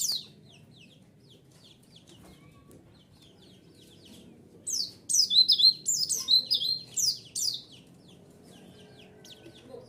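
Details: Lure song of a white-eye, meant to provoke other birds into answering. A few faint high chirps open, then a loud burst of fast, high, buzzy twittering in the middle, fading to quiet hum.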